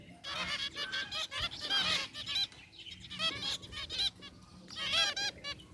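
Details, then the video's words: Aviary flock of zebra finches, gray and white birds including a rare white one, calling nonstop with short, nasal, trumpet-like beeps that overlap in busy clusters and pause briefly between bursts. "Cute Zebra Finches in Aviary | Relaxing Bird Chirping Sounds"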